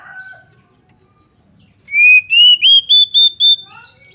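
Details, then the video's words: Female Oriental magpie-robin calling to provoke males into anger, fighting and tail-spreading: a brief lower whistle, a pause, then a loud rapid run of six whistled notes climbing steadily in pitch, each note clipped and bright. "PANCINGAN AGAR KACER CEPAT EMOSI, GACR DAN BKA EKOR || KACER BETINA"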